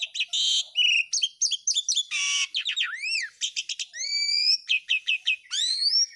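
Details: Asian pied starling giving vigorous, long-lasting song meant as a master recording that prompts other starlings to sing: rapid varied whistles, sweeping upslurs and downslurs, harsh buzzy notes and stuttered repeated syllables with almost no pauses.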